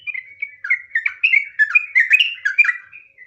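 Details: Yellow-vented bulbul (trucukan) singing in the nggaruda ngropel style: a rapid run of bubbly, slurred whistled notes that jump up and down, delivered about two to three per second with no other sounds.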